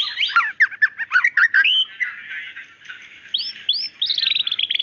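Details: White-rumped shama, a female calling the male, gives harsh squawky notes and jumbled chirps, then a buzzy smeared passage and a few clear upslurred whistles near the end.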